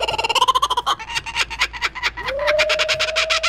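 A Laughing Kookaburra gives a brief burst of rapid, throaty chuckling notes, then a man speaks over a drawn-out tone.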